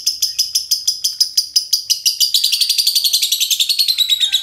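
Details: Two green lovebirds in ngekek style: a rapid run of high, scratchy chattering notes, about three per second at first, then quickening and blurring into a continuous trill.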